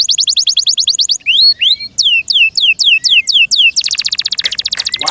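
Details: Owner-kept canary song. A quick even trill leads into rising and falling whistled slurs, then a dense, buzzy rolling trill.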